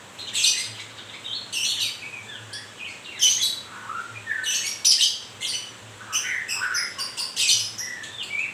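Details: Newly moulting white-rumped shama (murai grewek) pours out a long string of rasping, crackling bursts interwoven with brief whistled slides, closely spaced and irregular.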